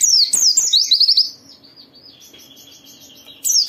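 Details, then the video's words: Lively white-eye singing meant to trigger other white-eyes: a dense run of high, rapid, zigzagging chirps, then a long thin sustained trill, and a fresh shrill burst at the end. A low hum runs underneath. "Suara burung Pleci ini Ampuh memicu semua Pleci cepat Buka Paruh dan gacor"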